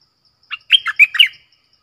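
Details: Red-whiskered bulbul singing a 'double song' (เพลงเบิ้ล) lure phrase in a clear voice: a brief lead note, then four loud, bubbly, rising-and-falling whistled notes in under a second, with no other sounds.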